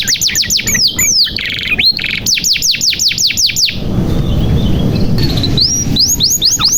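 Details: Canary in lively 'gacor' song, played as a lure for silent young canaries: quick repeated falling whistles and a buzzy rattle for almost four seconds, a quieter gap, then a few high upswept notes.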